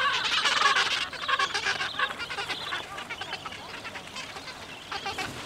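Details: Gentoo penguins at Orne Harbor calling in a colony: a harsh, dense burst of overlapping braying calls for the first second, then shorter rasping pulses repeated rapidly and fading into background chatter.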